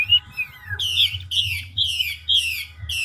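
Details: Chinese hwamei in fast voice-switching ngũ trường song, a big old wild-caught bird: two falling whistles, then five harsh, rich descending notes spaced roughly half a second apart, low droning hum underneath.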